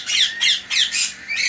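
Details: Young cockatiels (Nymphicus hollandicus) in a loud aviary during hand-feeding give harsh, raspy squawks, about four in quick succession, roughly three per second.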